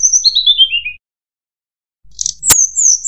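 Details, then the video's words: Mangrove whistler lure call: a high whistled series stepping steadily downward in short slurred notes, then after a silent pause a buzzy burst, a sharp click and more high whistled notes. "suara pikat burung tledekan bakau"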